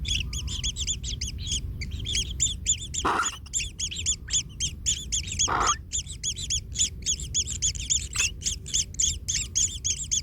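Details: Nestling kingfisher being stepped on by its parent: fast streams of sharp, buzzy chirps, several overlapping, repeated about four per second, broken by two brief dull thumps partway through.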